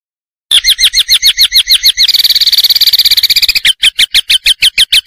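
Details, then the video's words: White-rumped shama master song for training: after a brief silence, rapid series of loud, sharp whistled notes, then a dense buzzy trill, then crisp repeated notes again, about three per second. "MASTERAN murai batu"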